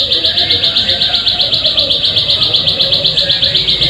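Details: Plain prinia, heard as a lure to encourage birds to sing, giving a quick, regular train of high chirping notes, roughly four each second, steady in pitch and volume throughout.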